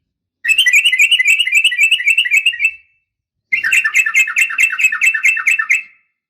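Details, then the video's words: Female sooty-headed bulbul calling to provoke males into answering: two bursts of rapid, scratchy chattering notes, each lasting a little over two seconds, separated by a brief silence, bright and steady throughout. "trucukan gacor SUARA UPLIK TARUNG"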